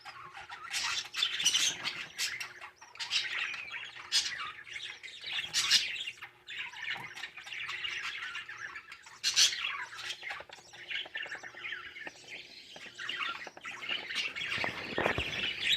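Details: Budgerigar father feeding his baby in the nest gives chatter: a dense run of high, scratchy squawks and chirps that barely pauses.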